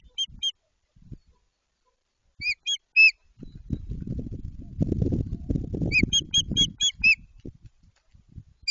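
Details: White-tailed eagle beginning a nest at Jedwabno, Poland, this season: clear, high yelping notes in small groups, a long stretch of rustling nest material, then a quick run of five or six yelps.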